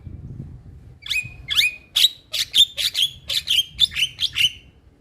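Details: Male Javan myna singing, a natural recording meant to make other mynas start singing: a series of short sharp notes, each a quick upsweep ending in a brief level whistle, about two per second, over soft low rumble.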